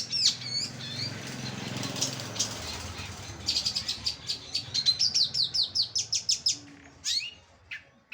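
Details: Long-tailed shrike (cendet), a kept songbird, in full vigorous 'gacoran' singing: after a few seconds of wing flapping and rustling, a fast run of sharp, high, repeated chirping notes, about two per second, ends with a couple of squeaky calls.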